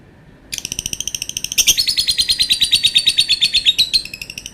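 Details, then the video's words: Lovebird making a long call: a brief pause, then a rapid run of buzzy, rattling chirps, about three per second, gathering in loudness midway and continuing steadily to the end. "Burung Lovebird bunyi suara panjang"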